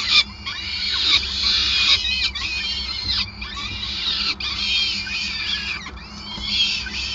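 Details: During feeding at a peregrine falcon nest in Groningen, 5 May 2020, shrill wavering squeals come in dense bursts with brief gaps, over a low hum.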